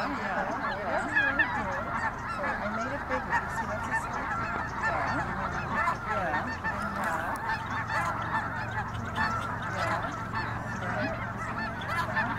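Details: Mixed wild flock of Snow Geese and Ross's Geese at Colusa National Wildlife Refuge, December 5th, 2021; a dense, continuous chorus of overlapping nasal honks and yelps from many birds, with no pause throughout.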